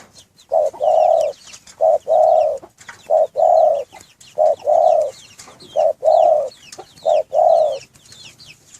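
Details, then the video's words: Spotted dove cooing inside a breeding cage: low, mellow coos in repeated phrases, each a short note followed by a longer rolling one, recurring roughly every 1.3 seconds, with faint high chirps of other birds in the background. "Anggungan burung derkuku"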